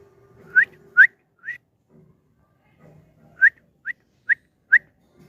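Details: Pet Lutino cockatiel brought up to a rooftop in the morning sunshine: short rising whistled notes, two close together, then a pause and four more evenly spaced, with faint low background hum.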